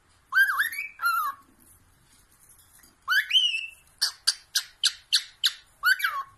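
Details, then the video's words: Caged pet cockatiel singing: two wavering whistled phrases, a pause, a long rising whistle, then a series of sharp, harsh squawk-like notes about three per second. "cockatiel bird singing and talking"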